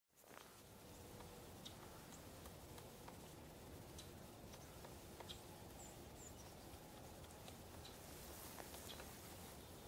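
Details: An adult male Pileated Woodpecker excavates a cavity, probably for carpenter ants, near sunset at Columbia Bottom Conservation Area, Missouri, 24 February 2013: irregular, dull chiselling knocks a few seconds apart over a steady low rumble.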